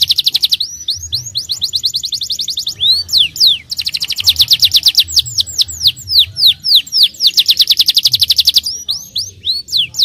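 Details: Starblue canary in full, constant song, used to coax young canaries into singing and rolling: fast runs of high, sweeping whistled notes and trills in dense bursts, with short breaks near three and nine seconds.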